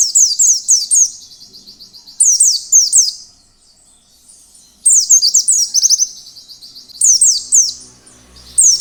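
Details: Wild-style ngalas song of an Oriental white-eye, played to prompt other white-eyes to start singing. Fast strings of high, sharp, down-slurred chirps run in repeated phrases of about one second, broken by brief quiet gaps.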